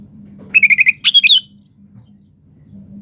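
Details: Sooty-headed bulbul in full voice, used to make other birds answer: a quick string of five clipped chirps followed at once by a rich, warbling three-note flourish, over a steady low background hum.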